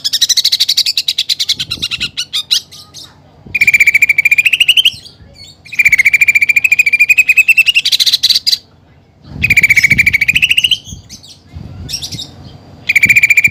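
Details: Greater green leafbird song with fighting-sparrow and woodpecker imitations: four bursts of rapid, stuttering high notes separated by short pauses, with faint low sounds in the gaps.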